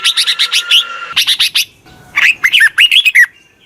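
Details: Red-whiskered bulbul used as a decoy to call wild birds: fast runs of even, bright chirps, then a warbled phrase of looping, up-and-down whistled notes.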